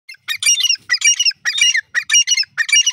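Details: Grey francolin, known locally as teetar, calling loudly with harsh, squawky, broadband phrases in bursts of two or three notes, repeated about twice per second with short pauses between bursts; no other sounds.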